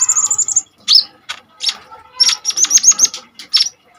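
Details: ['Kolibri ninja (sunbird) singing energetically, used as a lure and tutor for training other birds: high thin trills and sharp chips, a fast buzzy run first, then bursts of clipped whistled notes.']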